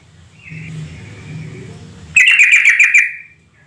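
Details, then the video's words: Sooty-headed bulbul lure call to prompt answering calls from other bulbuls: a soft whistle over low engine-like rumble, then an abrupt loud, rattling, bubbly chatter of six or seven quick pulses lasting about a second before fading. "Suara pancingan trucuk agar bunyi gacor tiap saat"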